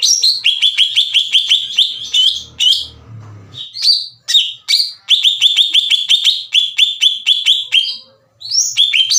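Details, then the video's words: Greater green leafbird in full song, used as a lure to raise the emotion of other leafbirds: fast series of repeated bright chirped notes with brief whistled flourishes and short pauses. "PANCINGAN CUCAK IJO GACOR CEPAT MENAIKAN EMOSI CUCAK IJO LAIN"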